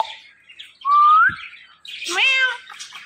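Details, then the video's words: Pet Indian ringneck parrot, described as talkative, gives one smooth rising whistle followed by a harsh, buzzy, word-like squawk after a short pause. "So Much Talkative Indian Ringneck Parrot"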